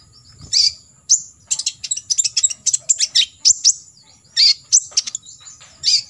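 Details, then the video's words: Olive-backed sunbird giving a dense series of piercing high chirps, about two to three per second, steady and insistent. Recorded as a 'tembakan isian' master song for training competition birds to imitate. "KOLIBRI NINJA (KONIN) FULL TEMBAKAN ISIAN"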